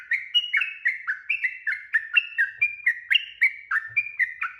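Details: Lure song of a yellow-vented bulbul, used to make other birds answer fast: an unbroken string of bright, bubbly whistled notes swinging between higher and lower tones, repeated briskly in a chattering, rolling rhythm.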